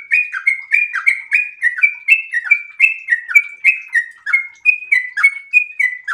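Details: A sooty-headed bulbul in breeding condition sings a long, fast, unbroken stream of bubbly, chattering phrases, dipping notes about three times a second, used as a lure and tutor song.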